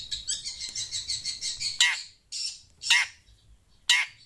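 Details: Shrike in Indonesia, noisy and chattering in reaction to sounds played from a phone: a fast run of harsh repeated notes for nearly two seconds, then three loud rasping bursts spaced about one second apart.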